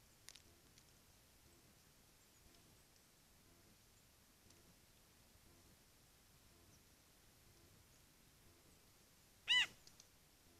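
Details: Eurasian jay in the Eifel, Germany: after a long quiet stretch with faint ticks, one short, loud, mewing note rich in overtones, slightly bent in pitch, sounds near the end.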